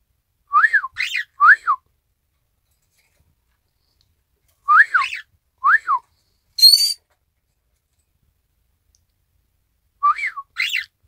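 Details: Cockatiel of the Isabel pearl colour copying a human whistle, 1 December 2018: paired rise-and-fall whistles about four seconds apart, plus one thin high squeal midway, otherwise quiet room.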